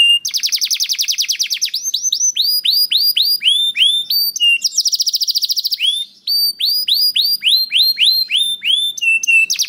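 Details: Long stretch of canary song in the lively 'gacor' style, used to prompt other canaries to sing. Fast, fine trills alternate with rows of looping, rising-falling whistles, about three or four notes per second.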